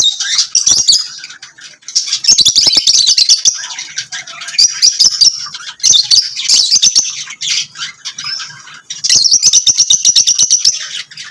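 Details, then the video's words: Lovebirds singing and chirping: dense, high, scratchy chatter in bursts of one to two seconds, with sharp ticking notes between the bursts and short quiet gaps. "Lovebirds singing and chirping sounds"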